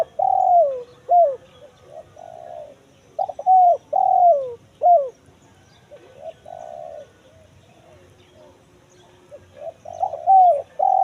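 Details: Repeated kuk 1 mersik phrases of a spotted dove, played as a lure to find wild birds in forest: clipped opening notes, a sustained coo, a quick falling note, with short pauses between phrases.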